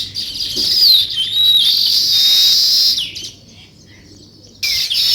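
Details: Morning sparrow chirping near weavers building a nest, three seconds of loud, sweeping high chatter and twitters, a brief quiet gap, then the chorus bursts back in.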